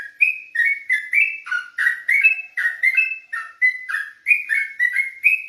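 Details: Olive-backed tailorbird delivering rapid ropelan song at night, a clean sequence of loud whistled notes about four per second, alternating higher and lower pitches.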